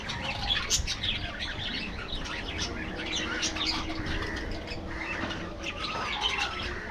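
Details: Aviary colony of budgerigars, a steady chorus of high chirps and short squeaks with occasional wing flutters and low background noise.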